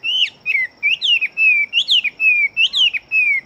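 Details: Fighting-type Chinese hwamei with a fast, busy song. Rich whistled notes alternate: a sharp upward flick, then a long, slowly falling whistle, repeated in quick pairs.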